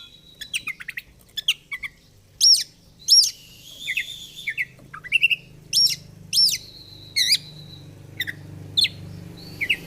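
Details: Fighter-style oriental magpie-robin singing hard with feathers flared. Short sharp chirps alternate with loud upslurred whistles and sustained high whistled notes, about ninety phrases a minute. A faint low hum sits underneath.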